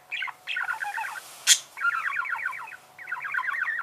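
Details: Budgerigar chatter: three rapid, rippling twittered phrases with a sharp click between the first and second.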